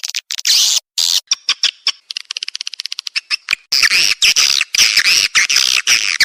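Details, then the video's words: Lure call for swiftlet houses, Naga Emas style, of the edible-nest swiftlet: high twittering bursts, a quick run of ticking clicks, then loud, continuous looping chirps. "SUARA PANGGIL NAGA EMAS"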